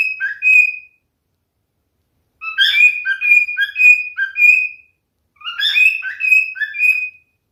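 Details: Male pet cockatiel singing indoors: bursts of clear whistled notes around a steady pitch, a short phrase, then a longer run of rising and falling whistles, with silent pauses between phrases.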